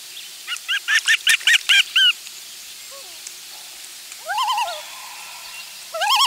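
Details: Loon parents and chick on their final day at the nest, nest camera, July 16, 2024. A run of short, wavering notes comes first, followed by a soft rising note, then two loud upward-sweeping wails.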